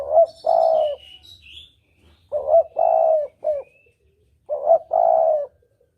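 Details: Spotted dove cooing as a hunting lure in the double-kuk style, three phrases of a brief note and a long mellow coo, with thin high chirps and whistles from another bird early on.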